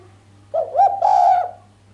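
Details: Sharp coo of a female island collared dove, lacking the final 'kuk', said to excite the male: a low hollow note, a short upward inflection, then a long even buzzy-edged tone fading away, with a quiet constant hum underneath.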